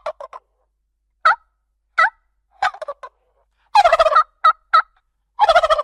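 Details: Short sparse turkey yelps and clucks from a domestic farm bird, then two loud rolling gobble bursts near the end.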